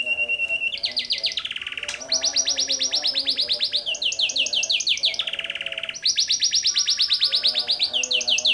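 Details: Taiwan canary singing vigorously: loud, continuous song of rapid high trills, each burst of fast repeated notes sliding in pitch before switching to a new trill type, with brief steady whistled notes between.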